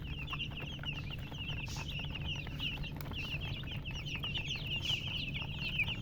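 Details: A brood of baby chickens chirping nonstop, many thin high peeps tumbling over one another, a few louder squeaks standing out near the end, low background rumble throughout.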